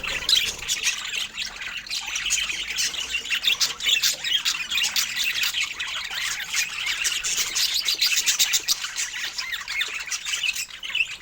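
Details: Budgerigars chattering as they enjoy fruit, a steady, busy stream of high chirps, squeaks and buzzy warbles running without pause for the whole stretch.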